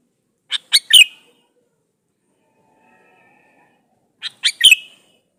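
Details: A male sooty-headed bulbul calls to a female. Two brisk three-note phrases of clear chirps are separated by nearly four seconds of quiet. Each phrase rises in loudness, ending on a sliding, emphatic note. The recording serves as a lure for wild bulbuls.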